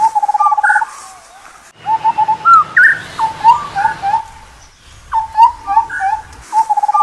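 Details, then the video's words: Indian scimitar babbler calling in repeated phrases, each a rapid stuttering series of mellow low notes followed by clear upslurred whistles, with a brief quiet gap midway through. "Indian Scimitar Babbler Call"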